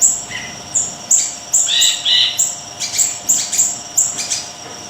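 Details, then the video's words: High, piercing whistled chirps from a small siri-siri in active song, spaced roughly half a second apart, with a few lower buzzy phrases mixed in. "Siri-Siri Kecil Gacor"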